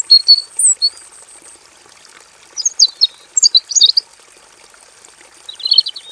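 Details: Robin singing vigorously with full variation in a simple aviary cage, a tutor recording: high, thin whistled notes and quick twittering phrases in short bursts separated by pauses, over a steady high hiss.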